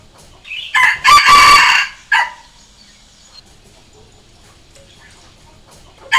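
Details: Red junglefowl crow for luring wild junglefowl: a short lead-in note, a loud long raspy syllable, a brief final note, then several seconds of near silence before the next crow begins.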